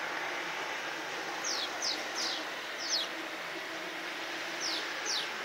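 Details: Swallows in flight in Csíkszereda's Tudor district give short, sharp, downslurred chirps, about seven over four seconds, some in quick pairs, above a steady rushing hiss like wind or distant traffic.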